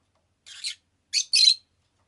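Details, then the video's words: Captive rosy-faced lovebird giving short, harsh, buzzy high chirps: one rasping note, a gap, then two quick squeaky chirps close together in otherwise quiet surroundings. "Lovebird Chirping Sounds"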